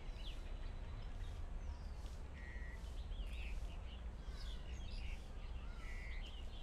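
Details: Verditer flycatcher in Hong Kong: thin, high chirps and short twittering notes scattered throughout, a few with brief buzzy trills, heard over a steady low rumble of background noise.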